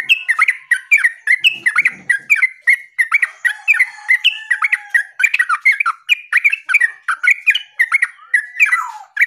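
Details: Yellow-vented bulbul (terucuk) in steady 'gacor' song: a continuous string of loud, clipped chirps, each briefly rising then dropping, about three per second throughout, with a quiet buzzy rustle early on.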